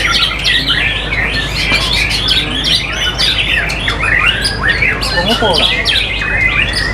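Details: Loud, powerful white-rumped shama singing in a competition setting, praised for strong character; fast unbroken run of sweeping whistles, trills and sharp chips jumping across pitches, with a brief buzzy rattle near the end.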